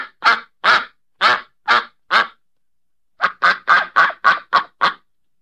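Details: Loud, raspy duck quacks. Five evenly spaced calls, a short silence, then a faster burst of eight quacks in close succession. No other sounds.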